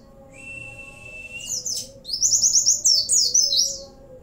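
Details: Oriental white-eye in lively 'gacor' song filled with Cililin, sambung bren and cigun material. It opens with a long steady thin whistle, then breaks into a quick chattering series of high zigzag notes. Low hum throughout.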